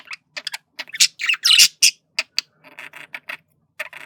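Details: A flirting male budgerigar makes scattered short chirps, then a loud burst of harsh squawky, buzzy warbling, then quieter clicking chatter with gaps.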